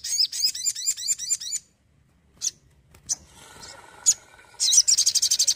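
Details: Lively sogon, or crimson sunbird, from Indonesia: a rhythmic series of looping high whistled notes, a pause with single sharp chips, then a rapid shrill chattering trill at the end.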